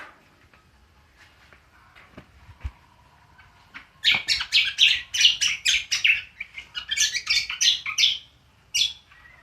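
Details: Cucak kombo in ngriwik style: quiet faint ticks at first, then a sudden burst of fast, sharp, chattering notes, about three per second, ending with one isolated chirp.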